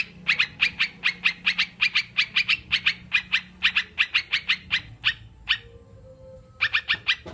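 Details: Sooty-headed bulbul as a training sound for kept birds: long fast series of sharp chirps for about five seconds, a quiet stretch, then a final short burst.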